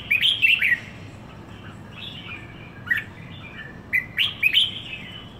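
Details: Merbah jambul, the red-whiskered bulbul, owned for one week in Singapore: a brisk chirpy phrase opens, softer notes follow, then a final cluster of sharp rising tweets, all over low background hum.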